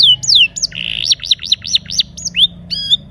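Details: Canary song used to trigger silent canaries: a long falling whistle, a buzzy trill, then evenly spaced arched high notes and a final twanging note.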